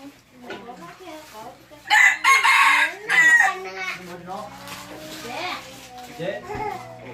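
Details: Decoy red junglefowl crowing loudly and clearly: a single harsh, strained crow of about a second and a half, mid-clip, with people talking in Vietnamese before and after.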